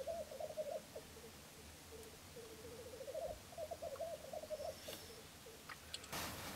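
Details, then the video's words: Dawn lek at Filsartrusket, Florarna, 17 April 2013, where three Black Grouse cocks display: steady, low bubbling rookooing runs in rhythmic phrases, ending in a sharp, broad hissing burst near the end. "Orrspel i Florarna"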